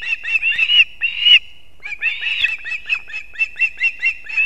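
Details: At an osprey nest in Kurzeme, Latvia, 6:40 am, 3 September 2024, the male arrives with two fish for the chicks. Harsh slurred whistles in two bursts, a pause, then clipped high chirps repeated about every quarter second.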